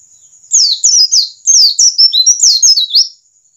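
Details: Pleci ngalas white-eye from Indonesia, used to get birds singing: a three-second burst of quick, high, downward-slurred chirps strung closely together, bright and twittering.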